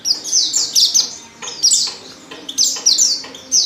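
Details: Female Oriental white-eye lure call for making males sing: loud high twittering chirps in dense clusters, each note dropping in pitch.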